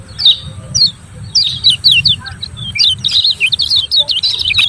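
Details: Lemon-bellied white-eye ciak ciak calling, played to provoke reluctant birds into song: short clusters of high, sharp chirps separated by brief pauses, building to a faster chattering run at the close; low hum in the background.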